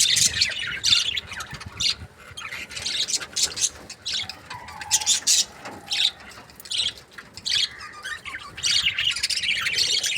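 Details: Chattering of budgerigar breeding pairs: dense, continuous high chirps and scratchy squawks overlapping throughout, from several birds calling at once.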